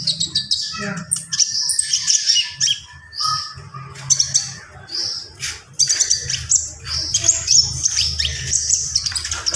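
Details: Energetic 'gacor full isian' singing of a konin (Javan pied starling): harsh squawky notes mixed with high squeaks and short whistled fragments, delivered in uneven rushes with brief pauses.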